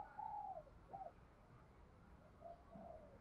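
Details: Spotted dove coo used by keepers to rouse and stimulate newly caught males; one drawn-out hoarse coo, then a short one and two softer, falling coos over steady background hiss.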